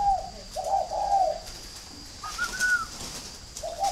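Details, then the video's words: Spotted dove from a breeding farm in northern Vietnam, Ba Vì, Hanoi: strong low husky coos, a pause, then a rising higher clear note and another low coo starting, over a soft steady hiss. "chim cu gáy hay miền bắc"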